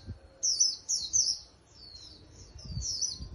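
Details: Trapped wild Japanese white-eye kept for singing contests sings high, thin, twittering phrases of rapid sweeping notes, several short bursts then a longer run, over faint low background rumble.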